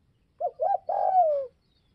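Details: A spotted dove of Northwest Vietnam calling to stir up other doves: a pair of brief curved coos leading into a long, steady coo that drops at its end.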